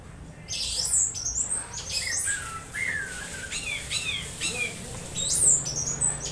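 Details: Orange-headed thrush uttering odd squawky calls while conditioned, played to lure others into singing during morning dewing; harsh scratchy bursts mixed with descending whistled slurs, grouped in uneven runs, steady background hum.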